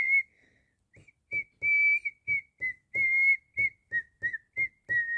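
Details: Cockatiel singing a run of clear whistled notes near one steady pitch, some held and some short, with a dull tap beneath each note and silent gaps in between.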